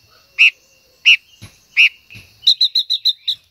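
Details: Three loud, sharp high notes spaced under a second apart, followed by a fast burst of six bright chirps, from a female silver-eared mesia singing to stimulate a male.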